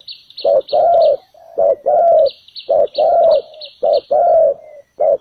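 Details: Spotted dove used as a ground decoy at a trap to lure wild doves, calling a full set of phrases: low hoarse coos in pairs, a short note then a longer drawn-out coo, repeated about every second, with thin high chirps overhead.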